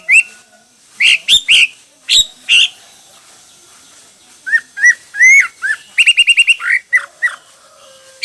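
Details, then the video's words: Hwamei song of loud slurred whistles and varied rising notes, ending in a rapid rattling series of repeated short notes and a few final whistles. "Coob quaj ntaus yam (Hoạ mi hót nhiều kiểu hay)"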